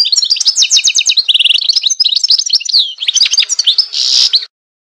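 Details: Goldfinch delivers a fast, busy song of high chirps, a short rapid trill, and sweeping whistled notes. It ends with a rough, noisy burst before the sound stops.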